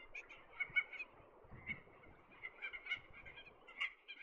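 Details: Red-tailed tropicbird during courtship flights in the sea breeze off the cliffs of Lord Howe Island gives harsh, ratcheting squawks in quick uneven bursts, about a dozen over four seconds, over low wind rumbles.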